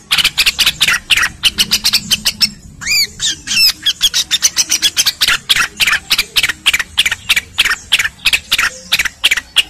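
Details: Cucak rengganis training song for caged songbirds: fast chattering chirps, broken midway by a few clear, looping whistled notes, then more rapid scratchy bursts, with a gentle water backdrop.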